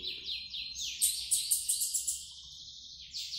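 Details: Bananaquit coming out of moult and singing well: a high, thin, buzzy song of quick repeated descending notes that runs into a long sustained trill and ends with a brief new burst, over a faint low hum.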